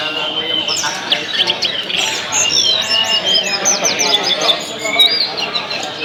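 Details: Tledekan song played to stimulate other tledekan birds into full singing and fighting calls: dense overlapping high chirps, trills and quick whistled slurs, with several birds seemingly calling at once, over a steady background hiss.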